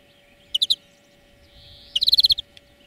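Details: Greenfinch lesson song for training birds: three quick bright chirps, a soft faint wheeze, then a rapid run of about eight ringing trill notes, over a low constant hum.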